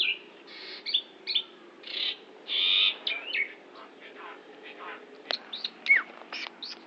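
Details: Mimicking Asian pied myna, Central Java, filling its song with borrowed phrases of shama, orange-headed thrush, canary, prinia and Bali myna: harsh grating bursts spaced by pauses, then sharp, high whistled slurs and quick clicks toward the end.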